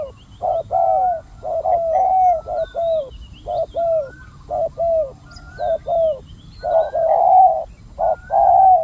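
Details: Spotted dove used as a decoy to lure wild doves in Thailand, cooing in repeated short phrases of two to three notes with gaps, faint chirps of other birds above and steady low background rumble.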